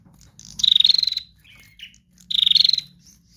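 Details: Female prinia delivering trotol song as a lure for other birds: two fast buzzy rattles of about a dozen clicks each, separated by a short squeaky note, with a low hum behind.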